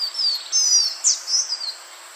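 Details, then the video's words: Green iora call from a lure recording: loud, high, drawn-out whistles sliding downward, broken by one abrupt sharp note, all close together over a light steady hiss. "SUARA BURUNG CIPOH JANTUNG UNTUK PIKAT DURASI PANJANG"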